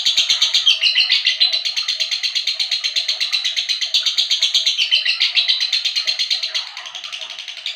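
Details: Lovebird singing vigorously, a rapid unbroken chatter of sharp, shrill chirps repeated nearly three times a second, loud and even throughout before easing slightly at the end.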